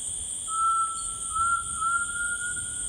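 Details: Tinamou singing in rainforest: one long, pure, slightly tremulous whistle held for over two seconds, rising very gently in pitch, over a steady high insect drone.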